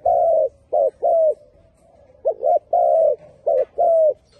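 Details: Mellow, hollow cooing from a spotted dove, delivered as paired short notes followed by longer drawn coos, repeating the phrase twice with a quiet gap between.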